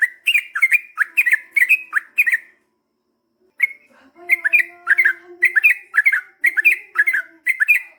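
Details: Yellow-vented bulbul in lively long-rolling song to provoke other birds into answering: a run of fast bubbly phrases, a second of silence, then another long burst of warbling note-pairs over a faint low drone.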